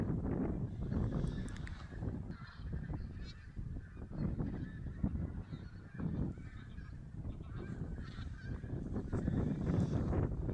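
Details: Geese counted in Silesia, 11–13 November 2016, from a flock that may hold Barnacle, White-fronted, Greylag and Bean Geese; scattered honks and yelping calls rise and fall over heavy low-pitched wind rumble.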